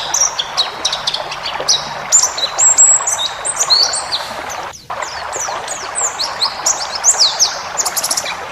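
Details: White-eye, forest type, singing a varied training song for caged birds: fast sequences of high, thin descending chirps and bright twitters, a brief dip near the middle, steady hiss behind.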